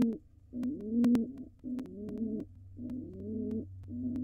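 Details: Wild pigeon pair in a nest box before laying: the male coos as the female dances. Three full rolling coos, each swelling and falling, plus short clipped notes at either end, loud clicks and a low hum.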